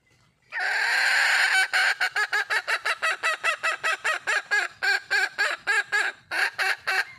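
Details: Red junglefowl calling for a mate: a loud harsh drawn note leading into a long, fast train of clipped, nasal clucks, roughly three per second, continuing to the end.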